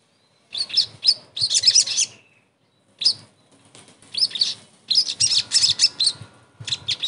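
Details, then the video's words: Therapy sound of a sogon to make a silent bird sing again: bright high chirps in quick bursts, a short pause, then a lively unbroken chattering sequence. "TERAPI SOGON MACET langsung GACOR"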